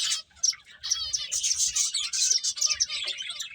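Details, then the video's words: High, slightly trilled chirps from feeding finches, dense and overlapping after a quiet opening quarter second. "Cute Birds Chirping Sounds | Beautiful Finches Eating"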